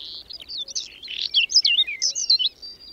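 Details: Whinchat, a bird of open landscapes, in unseasonal May snow and wind at the Berezinsky Biosphere Reserve. It delivers a continuous three-second medley of high warbled chirps, buzzy notes and thin descending whistles.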